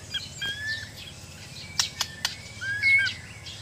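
A White-rumped Shama sings clear, varied whistled notes, some sliding and some steady, broken by a few sharp clicks over faint background hum.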